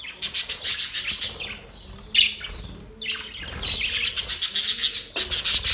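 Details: Happy budgie chatter: rapid pulsing chirps, then a short lull around two to three seconds before loud scratchy warbling surges back in.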